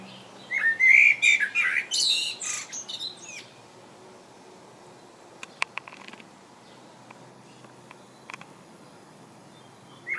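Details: Common blackbird in England, sitting and singing one full phrase of warm, fluting whistles followed by a high scratchy twitter, then several seconds of near silence with a few faint clicks and ticks.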